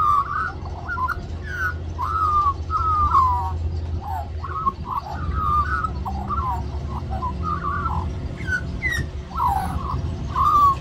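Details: Magpie at Cirillo Reserve, New South Wales, singing the whole time it begs for mango; a long, varied warble of sliding, fluting notes and short trills, with a deep background hum.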